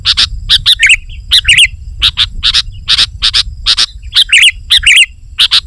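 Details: Lively 'gacor' song of a sooty-headed bulbul for luring wild bulbuls: regular sharp high chips interspersed with several bubbly, gurgling two-part phrases, faint low noise behind.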